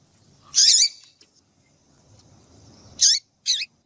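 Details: Female double-collared seedeater calling to stimulate and excite males into singing: a short, loud, high buzzy chirp near the start, then two brief sharp high notes close together near the end, with quiet background between.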